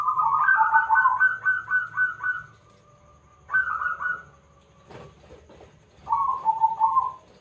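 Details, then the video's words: Local zebra dove with a strong, loud voice, recorded as a lure to draw other doves into song: rapid runs of mellow cooing notes, the first long burst, then two shorter bursts after pauses, with a brief clatter between them. "Perkutut Lokal Gacor Suara Besar - AMPUH Buat Pancingan - NYAUT!!!"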